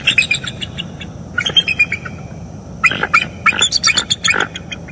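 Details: Bald eagle pair calling on a morning in northeast Florida, 25 October 2021, captured by a live nest camera around mating. Rapid, high, thin chips and squeaky notes come in irregular clusters over faint background rumble.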